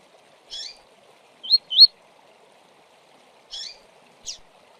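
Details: Double-collared seedeater in tui-tui song style, giving sparse high notes: a buzzy chip, two clear rising slurred whistles in quick succession, then two more short chips after a pause, in near silence.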